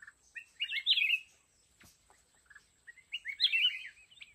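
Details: Decoy red-whiskered bulbul in a fighting trap gives two rich warbled phrases of rolling, bubbly notes separated by a pause, with a brief click between them and a faint steady high whine.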